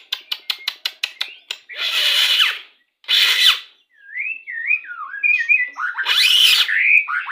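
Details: Pastol-type white-rumped shama song used while pairing birds to bring on breeding condition. Quick clicks give way to loud, harsh rasping bursts, then a run of fluid, looping whistled warbles and another harsh burst.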